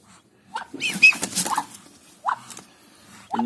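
Newly hatched Muscovy ducklings give thin, high peeps that rise and fall, with a burst of overlapping calls.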